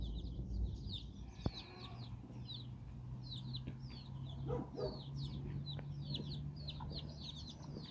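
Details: Hen walking her nine chicks in Bizkaia, Basque Country, as they explore and play; clear, high, downslurred peeps repeat in a busy stream, over a low steady hum and occasional soft thuds.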